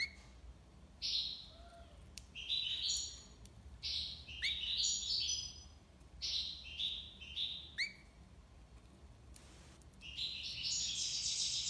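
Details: European goldfinch singing tiwawati style in Algiers, heard over steady background hiss: repeated rising and drooping twittering notes in irregular bursts, ending with a higher buzzy jumble.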